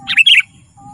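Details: Sooty-headed bulbul, recorded for luring wild birds and song training: one brief, rich double chirp, bubbly and slightly descending, then quiet.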